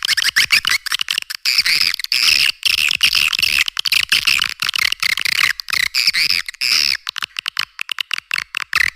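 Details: Attraction call of edible-nest swiftlets for cave and farming sites: busy, chattering high chirps in tight clusters, with crisp clicks scattered between the bursts.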